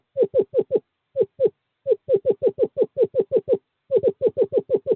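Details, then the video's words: Male screech owl calling a female to a nest box during courting season, 2/11/2023: short, hollow notes fired in quick bursts of four to seven, each dipping slightly in pitch, separated by brief pauses. "Male screech owl calls female to owl box 5"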